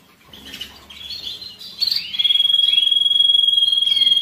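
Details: Canary song to stir males and ready females for mating during molt and rest: quiet warbling that swells into a loud, fast, level roll held steadily to the end.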